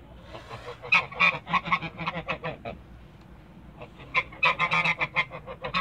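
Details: Backyard pair of Toulouse geese in two bouts of rapid nasal honking, a quiet pause of about a second between them, the second bout louder and more crowded.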